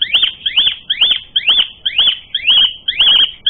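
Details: Asian pied starling song used as a fighting lure; a steady series of loud, ringing arched whistles, each note rising then dropping, repeated roughly twice a second.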